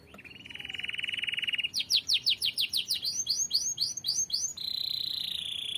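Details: Canary singing actively, kept as a tutor song for other birds: a steady, high buzzy trill for nearly two seconds, then rapid descending whistled notes, ending on a sustained high tone.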